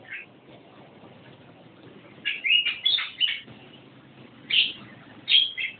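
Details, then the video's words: Javan myna singing "gacor" style: after a quiet start, a string of harsh, grating notes with a thin whistled edge, then two more separate loud squawky bursts. "Burung jalak kebo gacor"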